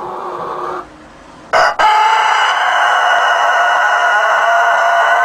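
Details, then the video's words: Rooster that does not stop crowing: after a short noisy stretch and a brief break, one loud, hoarse, steady crow begins and holds on unbroken at the same pitch for several seconds. "The Never-Ending Rooster Call - Le coq qui ne s'arrête jamais de chanter"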